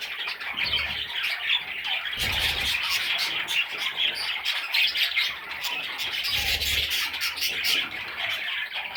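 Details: Baby parrot chicks, several together, giving a dense, continuous chatter of raspy, high squawks and chirps that overlap without pause, with brief low thumps near the start and middle.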